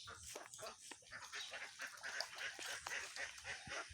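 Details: Lots of ducks quacking at once: short raspy notes come quickly and overlap into a steady, noisy flock chorus with no break.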